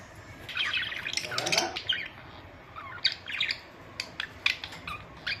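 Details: Pet budgerigars, kept as the owner's own birds, giving bright chirps and squawky chatter, mostly high-pitched, with a burst of overlapping calls early on and sharp clicks toward the end.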